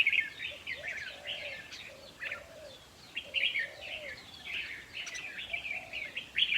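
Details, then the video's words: Red-whiskered bulbuls singing around a decoy trap, used as playback to rouse caged birds; several overlapping chattering, whistled phrases run almost continuously, with soft low hooting notes repeating beneath them. "ต่อเพนียดนกกรงหัวจุกแก้มแดง เปิดให้นกฟัง ยั่วให้นกคึก"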